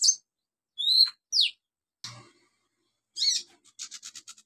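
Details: Lure song of an olive-backed sunbird for birds that have stopped singing: sharp, high, falling slurred notes, a short scratchy burst, then a rattling series of quick high pips fading out.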